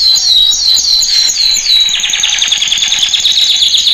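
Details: Training song of a male canary: high repeated looping whistles that give way to a rapid, even, buzzy roll, bright and loud throughout.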